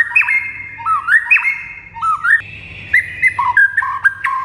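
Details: Rich varied whistling from a white-rumped shama, used as training song to prompt other birds to respond: repeated rising two-note phrases, then a string of short whistled notes at varying pitch.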